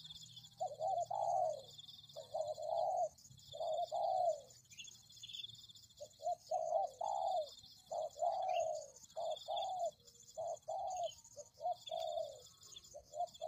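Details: Lure recording of a spotted dove cooing steadily: a long series of mellow low coos in short groups, about twenty notes over thirteen seconds, each group with clipped notes and a longer drawn coo, over a continuous high-pitched hum.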